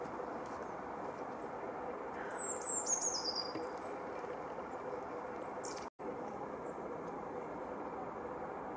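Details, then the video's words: Eurasian blue tit song in Anglet, winter 2018-19: a thin, very high trill of crystalline notes sliding downward and speeding up at the end, then a faint high note, over a steady roar of traffic or wind. "Mésange Bleue, chant"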